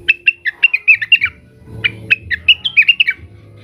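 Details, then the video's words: Cucak wilis (Blue-winged leafbird) calling rivals in agitation: two energetic bursts of sharp, varied chirps and quick slurred notes, with a short gap of low background noise between them. "suara burung cucak wilis gacor, emosi manggil manggil lawan"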